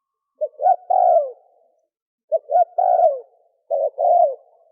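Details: Spotted dove coo in the thổ kim style, male and female, recorded for luring wild doves: three soft hooting phrases, each with a brief lead note and then a drawn-out descending coo, separated by silent pauses.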